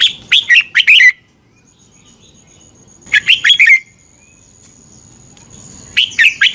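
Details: Red-whiskered bulbul, a caged bird in Thailand, singing a song played to train or excite other caged birds: short bursts of rich, bubbling whistled notes, three phrases spaced about three seconds apart, with a faint steady high tone between.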